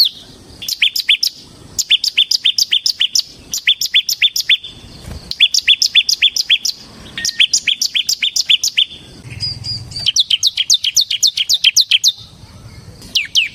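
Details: Ciblek semi, the Bar-winged prinia, in continuous vigorous song meant for luring and training other birds: rapid bursts of high, thin, ticking notes, each burst lasting one to two seconds, separated by short silences.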